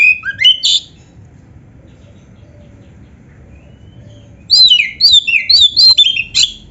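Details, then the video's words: Kacer song in full isian style: a short cluster of varied whistles, then about three seconds of quiet, then a lively sequence of loud, high downward-sliding whistled notes repeated rapidly. "suara burung kacer gacor full isian"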